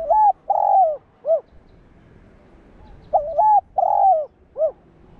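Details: Spotted dove coo meant to provoke other doves into cooing: two identical three-part phrases, each a stuttered double coo, a long rolling coo and a short clipped note, with a pause of about a second and a half between them.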